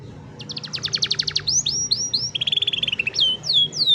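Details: Canary song for training youngsters, cellphone recording: rapid burst of repeated chips, a series of arched whistles, a quick low trill, then more sweeping downslurred whistles, over a light hum and hiss.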